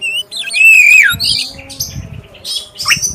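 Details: Oriental magpie-robin of the black-breasted type, clear prompting song: a long sweet whistle falling at its end, then softer buzzy notes and a sharp final chirp, with faint low rumbling.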